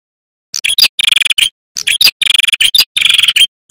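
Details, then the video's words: Male red-headed prinia in vigorous song, offered as a lure for wild prinias, tailorbirds and ciblek and as tutor audio for young birds. Fast bursts of high, rattling chirps and short trills with brief pauses between phrases. "Suara Burung Prenjak Kepala Merah Jantan Gacor"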